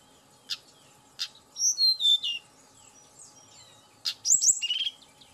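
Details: Lure song of a Tledekan gunung, meant to provoke the bird into singing fast. Two sharp clicks, then bright high warbled whistles, a pause, and a quick burst of chirps and slurred notes.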